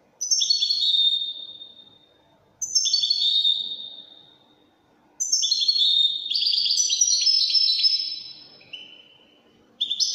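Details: Widani-type European goldfinch giving repeated high twittering song phrases. Each phrase starts abruptly, with quick tinkling notes sliding downward, separated by short pauses, then one longer run of fast trills.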